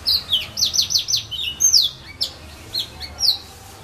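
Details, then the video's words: A serin sings among casuarina (filao) trees at St Philippe, Réunion: a bright, rapid jingle of high, down-slurred notes, about four a second, then a few scattered sharp chips. "serin pays"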